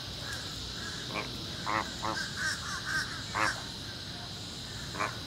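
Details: Captive flamingos at Busch Gardens Tampa, recorded 25 August 2021, uttering short harsh goose-like honks, scattered and uneven, against constant broadband hiss.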